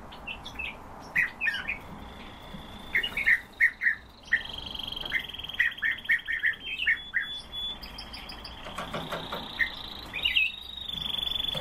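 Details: Eurasian bullfinch in northern sunshine: a series of short, soft piping notes in small clusters through the first seven seconds, with a steady high whistle-like tone running underneath and faint background hiss.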